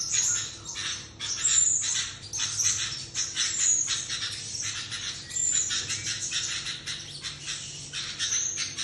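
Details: Sooty-headed bulbul calling in a way likened to a duck, a long series of rasping, squawky notes in quick irregular bursts with short breaks, steady throughout.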